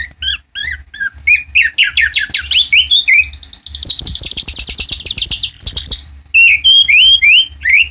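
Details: White-rumped shama (murai batu) kept at a bird farm, singing a loud, varied song of whistled downslurs, buzzy chattering phrases and a fast, high rattling trill. The phrases follow in quick succession, with a low hum beneath.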